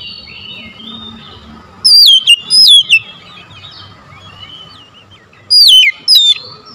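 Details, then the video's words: Oriental magpie-robin singing to stir quiet, reluctant birds into replying: two bursts of loud, sharp whistled phrases with quick falling and rising slurs, about three seconds apart, over a soft steady background hum. "KACER BISU MALAS BUNYI PASTI LANGSUNG NYAUT"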